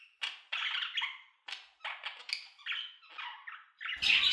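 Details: Budgerigars making short clicking, scratchy chirps in a series of separate bursts about a third of a second apart, ending in a louder harsh squawk with low rumble.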